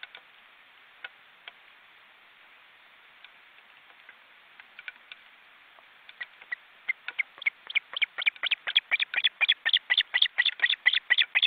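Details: Nestling Ospreys in a forest reserve in Estonia, almost adult and flapping wings in the nest: faint scattered clicks and chirps build after six seconds into a loud, regular run of piping calls about two per second.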